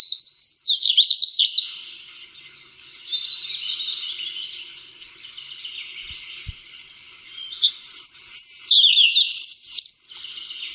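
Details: RSPB recording of a European robin singing with all his might and main: loud, fast cascades of high twittering notes, a quieter warbling middle, then fresh bursts of thin whistles and trills, with two faint low knocks.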